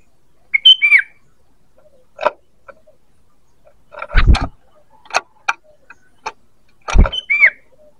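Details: ['Sooty-headed bulbul call used to lure birds: two short whistled three-note phrases, ending in a slurred downward note, separated by loud knocking and tapping clicks.']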